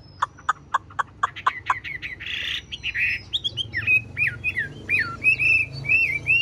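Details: Blue-eyed caged Chinese hwamei opens with a series of sharp, evenly spaced ticking notes and a harsh rasping burst. It then moves into varied warbled whistles that rise and fall.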